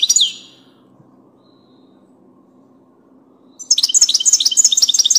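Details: Goldfinch of the parva subspecies: a short high chirp at the start, then a long silent gap, then a fast, jangling series of thin, high twittering notes and short buzzy trills continuing to the end.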